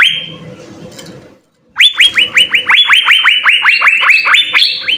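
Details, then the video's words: Asian fairy-bluebird in vigorous full song for use as a tutor: a short whistle over background murmur, a brief silence, then quick repeated rising whistles that climb in pitch toward the close. "suara 3 CUCAK BIRU GACOR full isian"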